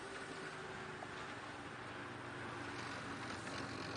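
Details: Continuous engine hum and hiss from a moving vehicle, with no animal sound.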